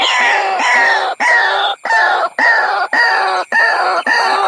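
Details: White-breasted Waterhen lure call: loud, harsh, croaking notes in a steady series, a little under two per second, each rasping note slurring slightly, played to draw waterhens in.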